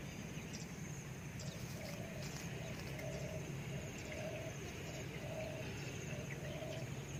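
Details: Spotted dove recorded for decoy luring: low, soft hooting coo notes in short spaced groups, about one group a second, half-buried under a steady insect hum and broadband background noise.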